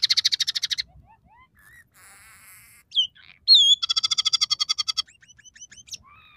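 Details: Gacor song of a scaly-breasted munia, one of three song variations mixing sparrow, red siskin and canary fill-ins: rapid chirp trills at the start and again near the middle, separated by buzzy notes, short whistles and a squeaky rising call.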